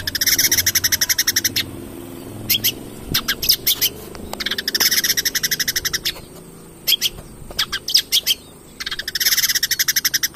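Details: Long-tailed shrike song used to lure singing: long bouts of rapid, chattering trills alternating with scattered sharp single notes and pauses, fairly loud throughout.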